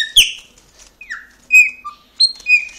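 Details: Pet Chopi blackbird reacting to its owner: a string of short clear whistled notes, one sliding downward, separated by brief gaps and a few sharp clicks, in a quiet room.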